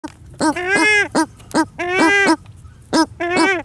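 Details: A pair of paradise shelducks (Tadorna variegata) at a waterfowl ranch in Holland give a series of nasal, honking calls, some short and clipped, others drawn out and rising, about a dozen notes in under four seconds.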